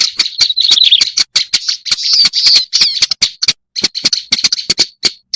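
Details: Lure recording of a black-browed reed warbler giving continuous grating chatter, rapid and buzzy, with many crisp clicks between phrases and a couple of short pauses toward the end.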